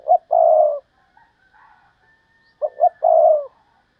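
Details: Spotted dove kept as a decoy bird, praised as a rare fine singer, one in thirty: two phrases about 2.5 seconds apart, each with two short clipped low notes and then a long, throaty, even coo, with faint calls in between.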